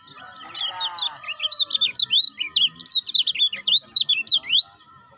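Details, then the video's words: Stimulating call of the lemon-bellied white-eye (kecial kuning), used to urge caged birds into song: an insistent string of high, squeaky, twisting chirps, roughly three a second, ending in a rising note, over a low electronic hum. "PANCINGAN MASTERAN - UNTUK KECIAL MACET - KECIAL BARU"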